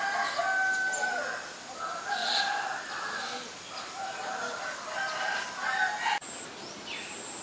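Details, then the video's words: Common myna in Ubon Ratchathani, Thailand, recorded 7 May 2022 with a Nikon P1000. A near-continuous run of raspy, buzzy and whistled notes, then a sharp click and a faint thin high whistle. "นกเอี้ยงสาริกา (Common Myna)"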